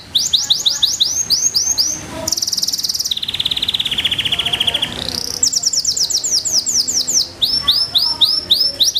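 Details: Belgian Bossu canary song: rising whistled phrases give way to a high rolling trill, then a long lower buzzy roll, before fast repeated sweeping notes resume; quiet background.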